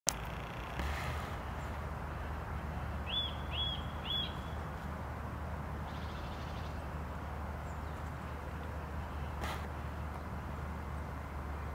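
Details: European robin (Erithacus rubecula) gives three quick, thin, upward-flicking call notes over a low rumble of distant traffic in Tivoli Landscape Park, Ljubljana, on 28 November 2022.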